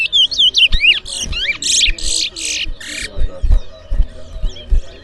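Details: Large-billed seed-finch (twa-twa) in a singing race at a Berbice bird ground, New Amsterdam, Guyana. A few looping whistles lead into loud, harsh, buzzy bursts, then the bird pauses while people talk and knock in the background.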